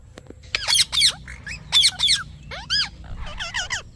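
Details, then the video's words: Parrot chirping: short bursts of harsh, harmonic calls with arched, falling notes, in irregular groups of two or three about once a second, with a low steady hum underneath. "Parrot Chirping Sounds"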